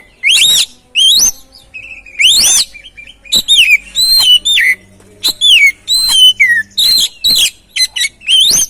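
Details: Oriental magpie-robin song used as a lure for a stressed bird that rarely sings: loud, rich whistled notes, many sweeping upward then down, delivered in quick irregular bursts about every second or two.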